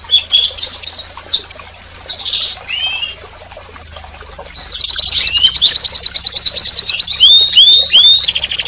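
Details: Canary gives soft scattered chirps and twitters, then after a quiet pause bursts into a loud, very fast trill with interleaved upward-curving whistles.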